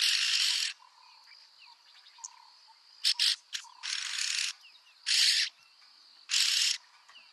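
Yellow-billed oxpecker giving harsh, hissing rasps, each about half a second, repeated at irregular intervals over a steady high insect whine.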